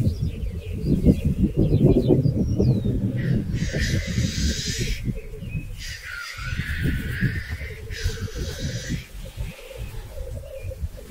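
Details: Black grouse males displaying on their traditional lek arenas in 2023, where fights precede mating. A continuous low, bubbling cooing rolls throughout, broken by three loud, breathy hissing bursts.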